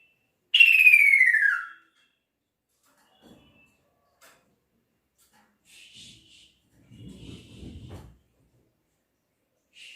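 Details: Male kaso-kaso bird calling its female: one loud falling whistle, followed by faint chirps and soft low rustling.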